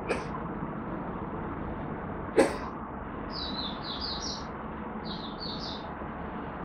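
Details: Malaysian oriental white-eye in minor moult and off form, singing soft, high twittering phrases in two short bursts after a sharp knock, with steady background hiss.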